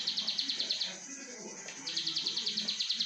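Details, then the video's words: Plain prinia (ciblek sawah) giving its 'brenn' song: rapid high buzzy pulses, a pause of about a second, then the same quick repeated buzzing resumes, with low background noise. "CIBLEK SAWAH BRENN 2 MENIT"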